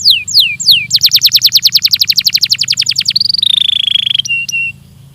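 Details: Training recording of a Belgian canary: three down-slurred whistles, a long rapid trill of sharp notes, then a sustained buzzy tone and short clipped notes.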